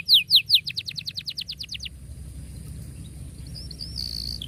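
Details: Canary song played to teach young birds: a run of about a dozen loud, quick descending chirps slowing and fading over two seconds, followed by a faint high trill over low background hum.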